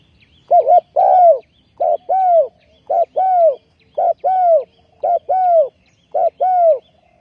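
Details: Spotted dove used as a ground decoy to lure wild doves into snares, recorded 20 April 2020. It gives steady coo phrases: a quick double note, then a longer falling coo, repeated about every second.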